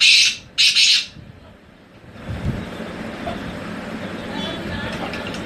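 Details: A tamed wild black francolin from Hangu, KPK, Pakistan gives two loud, harsh, grating notes in quick succession, then falls quiet over a steady background hiss.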